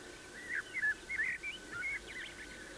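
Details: Eurasian bullfinch, which nests in spring in orchards and gardens in the British Isles and eats fruit-tree blossoms, giving soft, mid-pitched whistled notes and short chirps in quick loose bursts over a faint hum.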